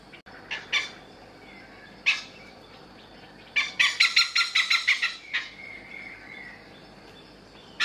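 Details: Male Oriental pied hornbill at a resort in Kaeng Krachan, Thailand, calling loudly while foraging in the morning. Scattered single harsh notes lead into a fast, clattering series of about ten cackles, then more isolated raucous calls.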